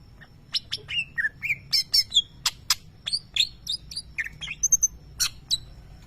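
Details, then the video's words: Champion contest greater green leafbird giving lovebird mimicry: a quick run of sharp chirps, clicks and short whistled notes at varied pitches, evenly paced, with faint low background hum. "Cucak ijo nembak suara Lovebird"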